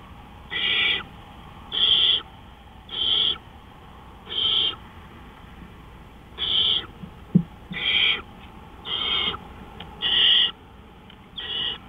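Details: Owl calling at night, 3:15 AM on April 20, 2013: about ten harsh, hissing screech bursts, each roughly half a second long, repeated about once per second with slightly uneven spacing, over a low steady background hum.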